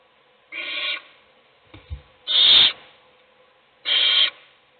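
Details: Nest-box owl, a mother feeding one of her chicks while the rest sleep; three strong hissing rasps spaced roughly one and a half seconds apart, with faint scuffling thuds between the first and second.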